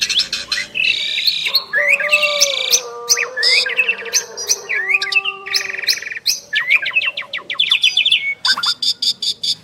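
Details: Asian pied starlings, a pair of prized birds, in duet: harsh buzzy chatter and squeaky slurs over low steady whistled tones, ending in a rapid series of sharp clicking notes.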